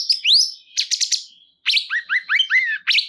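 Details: Lively cungkok bulbul song with a rising whistled slur, a burst of fast clicking notes, then a short silence and a tumbling string of chirpy, dipping phrases.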